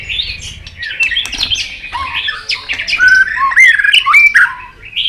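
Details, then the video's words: Excited white-rumped shama flicking its tail while singing in many voices: a fast jumble of varied whistles, sliding notes and sharp clicks, rising and falling quickly, growing louder toward the end. "Chòe Lửa tạch đập đuôi kích lửa cực sung. kích chòe Lửa lên lửa sổ giọng.chòe Lửa hót nhiều giọng"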